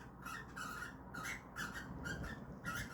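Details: Cockatiels kept indoors, apparently trying to mate, give loud raspy squawks in short bursts, about five in three seconds, each grating and broad rather than whistled, with a faint low hum behind.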